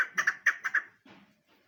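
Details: Chukar partridge, tagged as female: five quick, harsh, mid-pitched clucking notes evenly spaced over about a second, followed by a softer low rustle.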